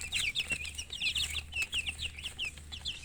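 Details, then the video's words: Baby chickens peeping together, bright high chirps tumbling over one another several times a second, each note a quick sliding whistle, over a steady faint low hum. "Baby "Chicks Chirping" Sound"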